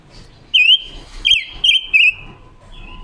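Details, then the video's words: Red-billed leiothrix, a forest-caught female decoy bird from October 2021 practising its voice, a lure song used to excite and trap others: clear whistled phrases sliding and wavering at a steady high pitch, four loud bursts, then a softer tail note. "Ngũ sắc mồi già rừng hót hay, ngũ sắc mồi luyện giọng hót của chim già rừng ngũ sắc mái mồi"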